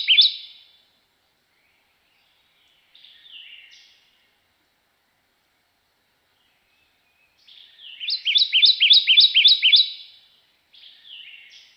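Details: Kentucky Warbler song: a fast, even slurry of about seven sweet, rolling two-syllable phrases, slower than an Ovenbird's and not rising in volume, with a few softer single notes before and after.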